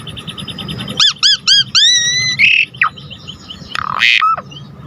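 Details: Asian pied starling (Jalak Suren) singing energetically for bird tutoring: three short arched whistles, a longer sustained whistle, then a buzzy note and a harsh rising squawk over a faint background hum.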